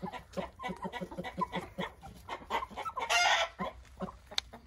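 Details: Roosters and hens eating broken eggs, making rapid repeated short clucks about four per second, with a harsh noisy burst near the end.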